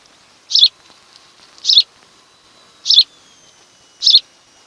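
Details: Osprey calling at its nest on Kent Island, Maryland, captured by a nest camera on the afternoon of 26 July 2018: four sharp high chirps about every 1.2 seconds over a faint steady background hum.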